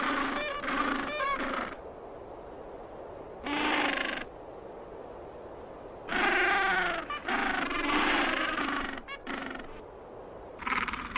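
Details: Male penguins hatching eggs in the cold give loud, harsh, harmonic braying calls in separate bursts of one to three seconds, with quieter gaps of a low colony hum between them.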